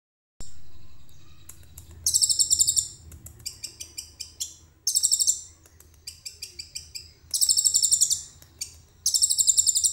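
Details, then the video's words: Common iora in full song, unedited and recorded on a phone, giving loud, very high rattling bursts of rapid trills about a second long, alternating with softer twittering phrases, over a faint low hum. "KONIN GACOR FULL ISIAN CILILIN JERNIH"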